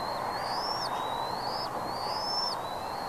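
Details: Redding bald eagle, 17 April 2021 at 08:15: two long, high, thin whistles that slide gradually upward and then snap downward at the end. A steady rushing noise runs underneath.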